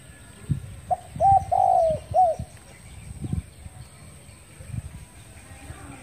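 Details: Spotted dove calling in the morning, recorded 10 February 2021: one cooing phrase of a few short notes and a longer drawn-out coo, all at mid pitch, over a quiet rural background with faint low rumble.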